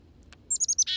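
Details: Chickadees at feeders, hand-fed; a quick run of four thin high chips, then the start of a harsh, buzzy dee note.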